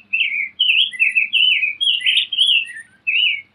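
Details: Singing Rose-breasted grosbeak, one of several song variations: a sweet, robin-like run of slurred whistled notes in a continuous, bouncing phrase, ending after a short pause with one last downslurred note.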